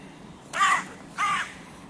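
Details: Crows at a music pavilion in König-Albert-Park, where three breeding pairs' territories collide; two drawn-out, hoarse caws about half a second apart over soft background noise.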